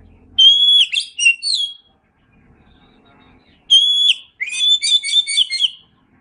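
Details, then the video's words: Kacer, the Oriental magpie-robin, singing in an Indonesian masteran recording: a strong whistle breaks into choppy notes twice over, with the second phrase ending in a dense, rapid warble. A quiet gap falls mid-way. "Masteran Suara Kacer"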